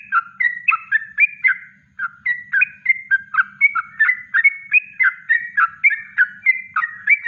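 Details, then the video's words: Natural yellow-vented bulbul song in the kongslet style, kept as a master recording for training birds: bubbly, slurred whistled phrases of short rising and falling notes, about three a second, continuing steadily without pause. "Masteran Trucuk Kongslet Alami"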